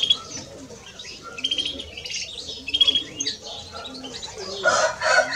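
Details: European greenfinches, a male and a female, give chirpy twittering with buzzy trilled runs. A harsher, broader rasping burst sounds near the end.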